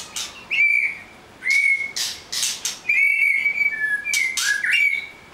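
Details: White-rumped shama giving long, pure level whistles in a row, separated by sharp click-like notes and a brief lower whistle.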